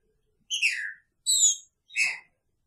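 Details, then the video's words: Green-winged saltator kept in a cage with its female, Picharro style song: three loud whistled notes spaced about half a second apart, the first sliding downward, the others bright and high, against a quiet background. "Trinca Ferro com sua fêmea!! Picharro"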